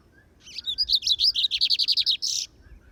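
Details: On a campiada, a field outing with its keeper, a bigodinho (lined seedeater) gives a full high song: warbled opening notes, a rapid run of sharp repeated chirps, and a short buzzy note to finish, with quiet background.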